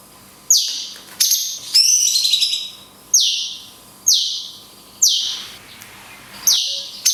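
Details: Cungkok singing 'tembakan kunti panjang' with natural pauses, recorded for training songbirds: bright high notes falling in pitch, repeated roughly once a second, with a brief trilled phrase near the start.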